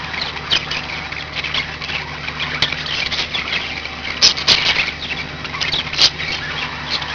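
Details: Budgies in a home setting twitter and chatter steadily, with sharp ticks near four and six seconds and a persistent low droning hum underneath.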